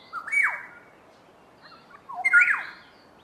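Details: Two Black-headed Orioles in duet give a ringing whistle sliding into a harsh falling note, then a second bubbling whistled phrase with a downslurred, grating ending about two seconds later.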